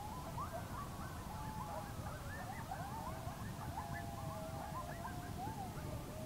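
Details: A pair of barred owls calling to each other in the dark one evening at a campsite in north central Kansas, thought to be mating calls; wavering, rising and falling hooted notes overlap constantly above a steady low rumble of background noise.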